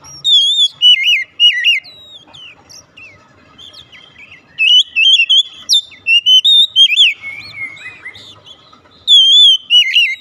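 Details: Oriental magpie-robin song intended to bring a silent bird into song: repeated loud whistled phrases with wavy, looping notes in three main bursts, interspersed with sharp high chips and brief quiet gaps.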